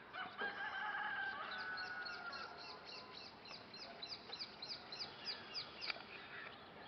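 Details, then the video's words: In the early morning, a group of red-rumped swallows gives a quick series of short, high, downslurred chirps, several per second, while a rooster crows loudly at the start. "Early Morning Natural Bird Chirping Sound - Bird Singing - Cute Red Rumped Swallow Bird"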